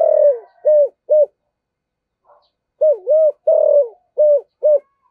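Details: Caged decoy spotted dove with a 'giọng thổ' style voice: three low hollow coos, a silent gap, then a phrase of wavering and clipped coos, the last two short, with no other sounds.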